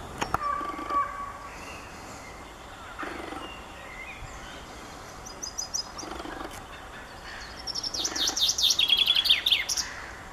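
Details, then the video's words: Common chaffinch song in late April. Several quiet seconds hold faint distant calls, then a loud, fast, high descending trill with a closing flourish fills the final two seconds. "Zięba śpiew chaffinch birdsong"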